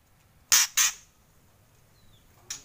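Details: Brief kretekan from a White-rumped shama: two loud harsh crackling bursts close together, a thin faint downslurred whistle, then another rasping burst.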